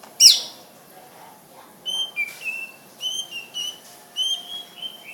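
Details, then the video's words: Greater green leafbird giving one sharp high sweep, then clear whistled notes in short, evenly spaced phrases, each with a brief downward slide. "Cucak Ijo Nilam betty kicau"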